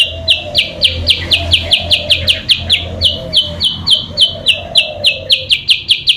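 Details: Sooty-headed bulbul call used as a lure for rivals: rapid series of short bright notes, steadily repeated, over a soft lower warbling and a faint low hum.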